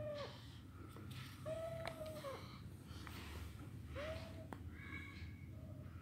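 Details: Young Alexandrine parakeet at play indoors: several short nasal squeals that hold level then curve downward, interspersed with snorting, breathy hisses and a few sharp clicks.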